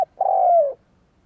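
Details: A single long, mellow coo from a spotted dove calling to attract wild doves, held steady then sliding slightly downward at its end, after a brief clipped note.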